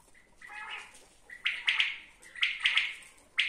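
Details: Common quail giving a softer buzzy opening, followed by sharp, ringing triple-pulsed phrases about one second apart.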